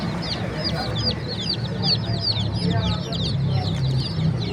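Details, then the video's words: Many chicks chirping together in a bird market: continuous shrill, quick up-and-down peeps in a busy chorus, with low rumbling background and faint voices beneath. "Beautiful Chirping Sounds of Cute and Funny Chicks"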